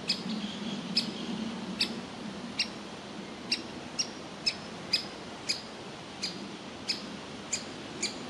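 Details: Young woodpecker sitting in a tree hole, wanting to be fed while its parents urge it to leave: sharp, high, clipped notes repeated about every half second to a second, about a dozen in all, over a faint low hum.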